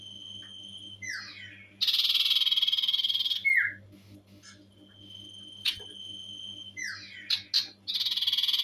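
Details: Common iora in lively ngetir trilling form, loud: descending slurred notes and a steady whistle lead into a dense buzzy trill, followed by a sharp downslurred note, scattered clicks and chips, and another trill at the end, with low background hum.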